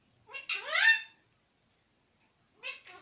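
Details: Talking parrot mimicking human speech: a drawn-out, harmonic, voice-like syllable with a falling sweep, a pause, then two shorter speech-like sounds in a quiet indoor setting.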